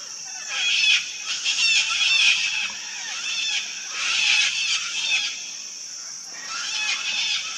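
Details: Wild colony of sulphur-crested cockatoos screeching harshly over one another, loud raucous bursts swelling and fading every few seconds from a noisy flock.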